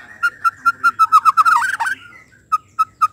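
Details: White-rumped shama sound meant to excite other shamas into song: a steady string of clear, mid-pitched whistled notes about five per second, a quick twisting flourish, then three more spaced single whistles.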